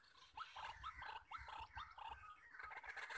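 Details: Male white-breasted waterhen in the wild, heard while trapping with a decoy: a short run of rising, nasal croaking notes roughly every quarter second, then fading into a busier chorus, insects whining high behind.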